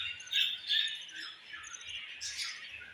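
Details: Budgie mother and baby during feeding, with a harsh squawking chatter that peaks in two loud bursts early on, then settles into softer, steady rasping chirps.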